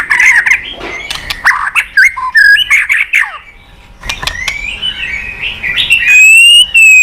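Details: White-rumped shama singing a rich, varied run of clear whistles, harsh chatters and rising slurred notes, with a brief pause before a sustained high whistle.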